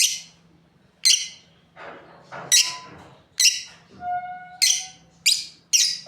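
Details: Breeding pair of lovebirds uttering scattered shrill, scratchy chirps with pauses between, plus softer rasping notes and a brief steady whistled tone in the middle.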